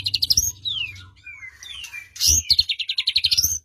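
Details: White-rumped shama song for prompting a quiet bird to reply: high pulsed trills, thin descending whistles, a loud burst, then a rapid run of high repeated notes over soft low knocking.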